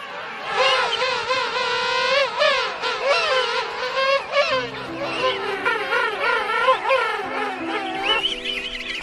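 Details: A penguin that has just reached its nest in a colony of half a million calls to find its own chick, giving loud, quavering trumpeted calls with a rapidly wobbling voice, over soft background music.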